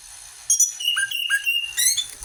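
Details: An orange-headed thrush sings in a lure recording: mellow, lower whistled notes that slur upward, joined by sustained higher tones, ending in a bright rising phrase.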